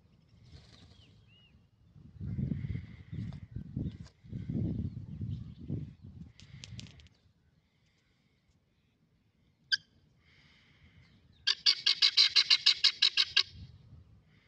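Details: Guinea fowl on a farm near Sargodha, Pakistan, give a harsh, rapid, metallic chattering call near the end, after low rumbling noise.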